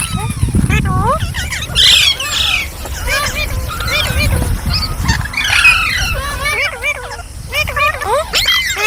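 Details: Green parrots call over and over in curved, whistly squawks and rasps, several birds overlapping, with a low rumble running beneath.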